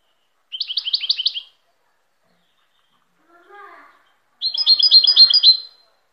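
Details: Goldfinch song in two quick phrases of crisp repeated notes, the second longer and busier, with a short human voice heard in the pause between them.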